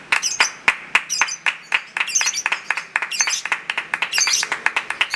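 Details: Lovebird in a singing contest, giving a long 'ngekek' chatter: a continuous run of rapid, harsh, buzzy chirps several per second, with brighter squeaky high bursts about once a second, no pause throughout.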